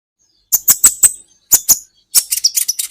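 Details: Olive-backed sunbird song used as a training recording for caged songbirds: a quick run of four sharp, very high chips, a pause, two more chips, then a rapid thin twittering trill. The background is clean and silent.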